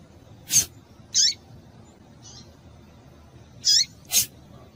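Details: Female double-collared seedeater calling to stimulate males: four short, sharp high chirps, each with a quick downward sweep, spaced irregularly about half a second to two and a half seconds apart over a faint low hum.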